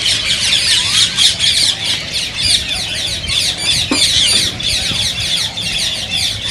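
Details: Flock of green rose-ringed parakeets, their sounds said to encourage other parrots to sing and mate. Unbroken harsh, high squawks and chatter fill the clip, with a brief thud near the middle.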